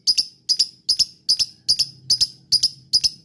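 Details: Lovebird lure call for triggering replies from other lovebirds: crisp high double notes repeated in an even rhythm, about two and a half per second, with a faint low hum beneath.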